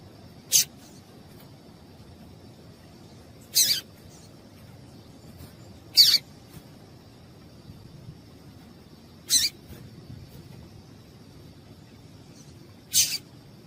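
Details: Yellow-bellied seedeater; female call; stimulates males to sing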